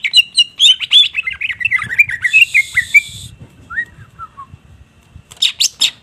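Greater green leafbird singing a fast, varied run of sharp chirps and sliding whistles, with a brief buzzy rasp midway and a burst of loud high chirps at the end.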